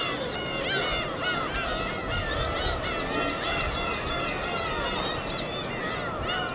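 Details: Many gulls in group flight above the East Sea in winter call continuously, their nasal, arching cries overlapping in a busy chorus over soft surf.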